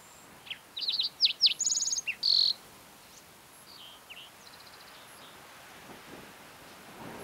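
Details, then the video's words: Singing green-tailed towhee, Mesa Verde National Park, Colorado, on a June morning: a quick series of sliding chip-like notes leads into a rattling trill and a final buzzy note, then softer distant phrases follow. "Singing Green-tailed Towhee"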